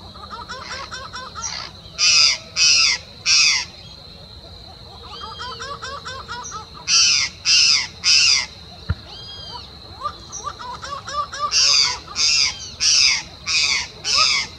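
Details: Laughing falcon (acauã) singing on a bike trail near Uberlândia, Minas Gerais, Brazil: loud, harsh repeated notes in bursts of three or four, with softer nasal notes between, over a steady high insect drone.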